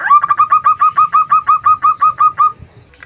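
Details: Local female zebra dove giving her lure call for attracting males: a rapid, regular series of about fourteen short, clear staccato notes lasting two and a half seconds, then quiet.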